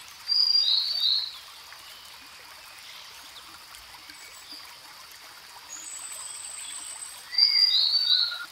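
Grey-headed canary-flycatcher singing two bursts of high, thin, slightly falling notes about seven seconds apart, with a soft background hiss like running water.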